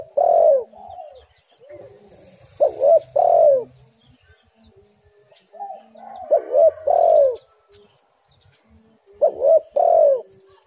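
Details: Spotted dove cooing, used as a lure to draw doves and make them sing: a few short coos leading into a long, drawn, falling coo. The phrase repeats about every three seconds in quiet surroundings.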